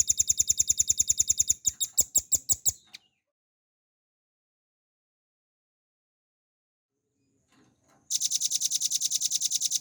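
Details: Velvet-fronted nuthatch, a cage bird, singing a lively ngebren song with long bursts, used as a training recording for songbirds: fast, dry, high trills of evenly repeated notes, then about five seconds of silence before another rapid trill.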